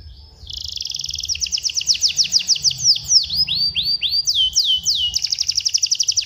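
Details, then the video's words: Canary tutor song for young canaries: a fast rolling trill of high notes, then a run of sweeping downward slurs and whistles, ending in another rapid rattling trill. "masteran kenari paud agar gacor dan ngeroll"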